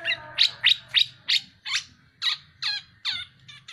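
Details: A tame black-naped oriole, actively vocal, utters a series of harsh, buzzy, scratchy notes, about three per second and fairly evenly spaced. A low hum sounds in the background.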